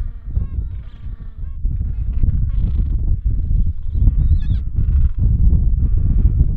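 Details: Gentoo penguin (Pygoscelis papua) at Bull Roads colony, Falklands, braying in harsh honking bursts about two a second over low wind rumble as it "sings" with its mate at the nest before swapping places and feeding two-week-old chicks.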